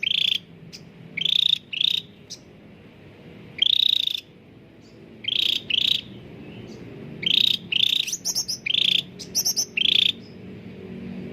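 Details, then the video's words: Caged cucak ranting bulbul singing energetically, used as a lure to prompt reluctant birds to sing: short trilled, quavering whistles repeated in uneven bursts, some paired, with a few higher buzzy notes, over a faint low hum. "CUCAK RANTING GACOR SUARA JERNIH UNTUK PANCINGAN YANG SUSAH BUNYI || pancingan Cucak ranting"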